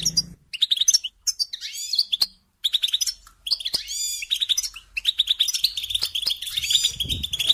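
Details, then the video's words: Goldfinch song of clipped chirps, sweeping upward notes and fast liquid trills, phrases separated by short pauses and one near-silent gap. "Supporting and Singing Along with Goldfinches"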